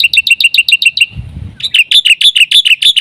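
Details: Black-winged myna in a full 'isian' song, used as a lure and tutor for other mynas: loud, shrill chirps repeated rapidly several times a second, broken by a short low rumble before the chirping resumes.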